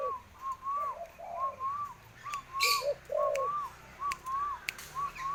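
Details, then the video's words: Very tame spotted dove playing with a hand: a steady run of short arched whistled notes about twice a second, with a few lower cooing notes in between and some scattered clicks. "bunyi burung tekukur"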